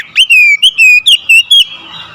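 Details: Oriental magpie-robin, provoked into aggressive song to challenge a rival: a loud run of six clear whistled notes, each rising then gently falling, packed into about one and a half seconds, with a softer warble trailing off.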